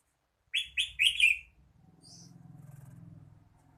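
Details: Red-whiskered bulbul giving three quick loud chirpy warbled notes, followed by a faint high note and a steady low droning hum.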